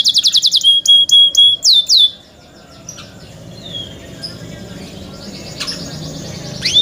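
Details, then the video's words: Young captive canaries give a quick burst of clipped repeated notes and sharp rising whistles, then the song fades into quiet, scattered faint chirps over soft background hiss. "MEDIOUS SONG OF YOUNG CANARIES"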